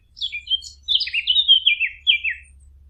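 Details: Bird twittering in a flowing phrase of slurred, downward-sliding whistles and chirps, with a steady low hum underneath.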